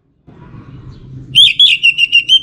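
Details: Orange-headed thrush pancingan (lure) song, a short run of loud, clear whistled notes repeated in quick succession after a low background hum.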